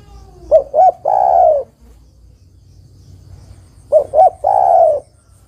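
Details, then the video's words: Female spotted dove calling the male, used as a lure to get reluctant males to sing; two short cooing notes followed by one long, falling, throaty coo, given twice with a pause between. "Tekukur betina memanggil jantan suara bagus untuk pancingan tekukur jantan yang malas bunyi."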